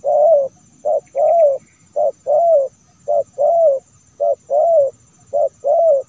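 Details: Spotted dove call used as a lure to attract wild doves: a steady series of low hooting coos, short notes alternating with longer slurred ones, about one per second, clean with a faint steady high hiss.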